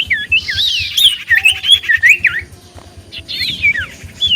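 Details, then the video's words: Common iora in full song, used as a lure to draw answers from other ioras: looping whistled notes running into quick chattering trills, then a short pause and a further whistled burst. "Burung Cipoh Gacor Pancingan Paling Ampuh Bikin Burung Cipoh 5 Detik Langsung Nyaut"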